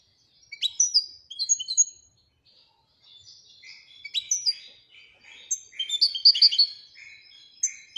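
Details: European goldfinch from Morocco in Widani-style song. Scattered sharp high notes open the clip, then a pause, then softer buzzy twitters building into a denser, louder jangling phrase near the end.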